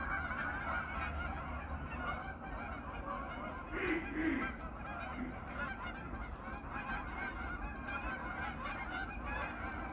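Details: An autumn evening at a pond where 500 to 800 geese return to spend the night. Constant overlapping honking fills the air, with one louder, nearer honk standing out around the fourth second over a low rumble.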